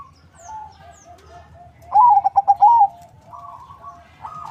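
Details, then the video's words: Zebra dove (perkutut), a local crossed with Bangkok stock, bred in Bekasi, West Java, kept as a lure bird: soft low cooing, then a loud stuttering phrase of rapid notes ending in a drawn-out coo. "Perkutut crossing lokal silangan bangkok suara merdu, untuk pancingan"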